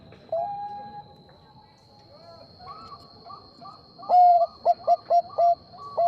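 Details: Zebra dove of the Bangkok type answering a rival bird. A brief coo and faint notes give way to a loud, rhythmic phrase: a long rolling coo, then four quick clipped coos and a closing note, with a thin constant electronic tone.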